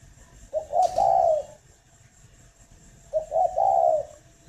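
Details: Captive spotted dove at a breeding farm near Hanoi, Vietnam, heard in the morning giving two low cooing phrases, each with short stuttering opening notes and a drawn-out, slightly falling coo.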